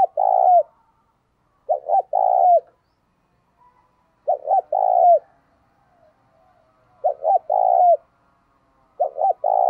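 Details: Caged decoy spotted dove giving 'thúc gù' and 'gáy gọi' calls to lure wild doves. Low mellow coos: four phrases, each two or three short hoots then a long falling coo, about every two to three seconds, silence between.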